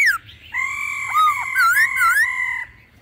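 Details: Laughingthrush with a mature wild-style voice alongside female calls, used to stimulate other birds: a long continuous whistled phrase broken by dipping and arching slurs, loud throughout and fading at the end.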